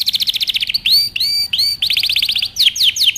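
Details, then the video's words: Canary singing a training song with varied phrases: quick repeated chirps, then three long bright upward-curving whistles, a fresh burst of rapid trills, and finally sharp descending sweeps. "canary singing over power canary most powerful song for best training"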